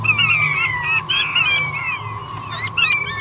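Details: Male king quail giving a run of descending whistles that slur down and overlap one another, with a steady tone running beneath and a faint low rumble.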